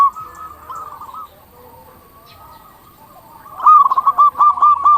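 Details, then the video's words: Zebra dove of a local type heard as lure sound: quiet, distant cooing at first, then a loud run of quick, regularly repeated coo notes through the last second and a half. "Perkutut lokal gacor suara paling ampuh untuk pancingan burung perkutut agar cepat bunyi"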